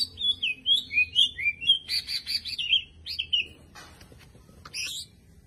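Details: Champion greater green leafbird singing warbled whistled phrases that rise and fall, followed by short buzzy trills, then fading into quieter scattered notes over a faint low hum.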